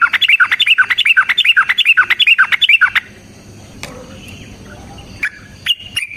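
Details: Yellow-vented bulbul (trucukan) in a long, energetic fighting song used as a lure recording: about three seconds of rapid, repeated bubbling chattered phrases, followed by near silence with a few faint clicks and chirps.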